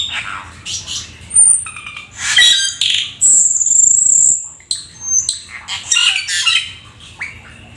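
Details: Vigorous full isian song of a Black-winged starling, a rare exotic bird: noisy rasping bursts mixed with long thin high whistles, one held steadily for about a second, and broken chatter between.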